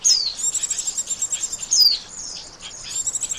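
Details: Bird-trapping lure of an Oriental white-eye, with a thin high whistle sliding downward, then a pulsing chatter of tiny notes and a second falling whistle.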